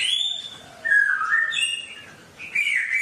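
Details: Short burst of wild songbird song used to coach caged birds: a long high whistle, a lower wavering whistled phrase, brief pause, then a rising bright note.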